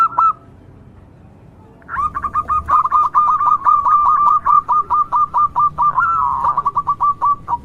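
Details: Local zebra dove, whose song serves as a lure to make other zebra doves call: after a short coo and a pause comes a long, fast string of staccato cooing notes, roughly three per second, with a slurred note near the end.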